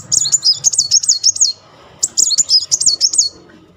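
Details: Muncang sunbird in a rolling, fast song used as a lure to provoke silent birds into singing: two bursts of high, thin, wavering twittered notes repeated rapidly, separated by a short pause, with faint low background hum.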